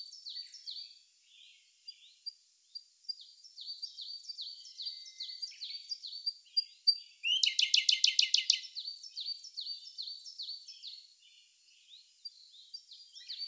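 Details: Siberian blue robin song in May 2021, recorded with a Sony A1 camera at some distance: many soft, high, repeated ticking notes, one loud, fast, buzzy trill in the middle, then more soft notes.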